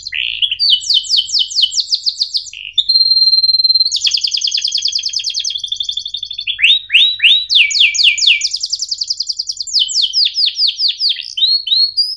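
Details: Cuit ngerol canary song, played as training for young canaries and to revive birds that stopped singing: quickly alternating rolled trills, sharp down-slurred chirps and a brief pure whistled tone, all high-pitched and rapid.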